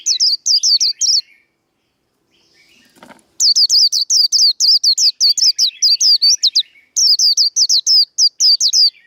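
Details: White-eye delivering the líu đấu fighting song meant to stir up rival birds: bursts of rapid, shrill, repeated down-slurred notes, a brief pause with a soft rustle, then a long fast unbroken series of piercing chips.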